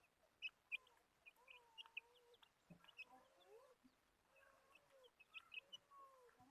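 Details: A group of desi hens gives soft, level and slightly rising drawn-out calls. Bursts of bright, rapid high chirps repeat over them, with a faint click or knock partway through.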